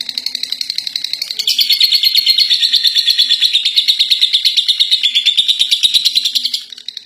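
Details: Contest-winning lovebird in ngekek, a long chattering song: a fast, continuous stream of shrill, high notes pulsing about three times a second for roughly five seconds, swelling louder midway and fading at the end.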